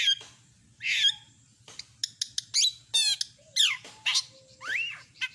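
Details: Long-tailed shrike delivering varied imitated phrases. It strings together a rasp, quick clicks, a trilled buzz, rising and falling whistles and a short pure tone, all in rapid irregular succession over a soft low hum.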